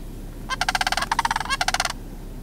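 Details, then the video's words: At George W. Mead Wildlife Area, a pair of juvenile sandhill cranes give a continuous rough, rattling call of fast pulses lasting about a second and a half. "Juvenile Sandhill Cranes"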